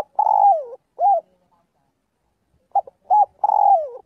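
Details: Calling its flock, a spotted dove repeats its daily practice phrase: a long, sliding coo dropping in pitch, then a short arched note. After a pause come two quick coos and another long falling coo.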